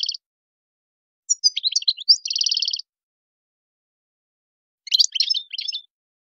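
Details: Tadmait-style European goldfinch song meant for tutoring young birds: a brief chirp, then a twittering phrase ending in a steady buzzy trill, a long pause, and another tinkling burst of high notes.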